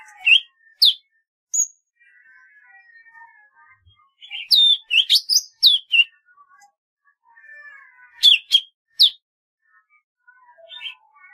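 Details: Golden-fronted leafbird song with bursts of rapid, loud downslurred chirps and whistles in two main clusters, between stretches of faint soft warbling.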